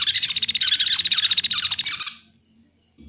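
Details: Woodpecker, known locally as pelatuk beras, lure call played to draw birds for trapping: a fast run of harsh, high, chattering notes, roughly four per second, that ends abruptly after two seconds, followed by near silence.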